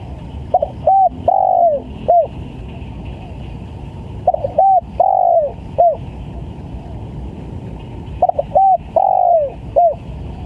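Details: Spotted dove lure recording for bird trapping: three full coo phrases, each a quick stutter, a short coo, a long downward-slurring coo and a short closing note, separated by pauses of about two seconds, with faint background hiss.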